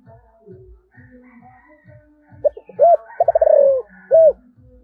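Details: Spotted dove with a 'giọng thổ' voice, calling: quick clipped coos lead into a fast rolling burst and end on one round coo. Music plays softly underneath.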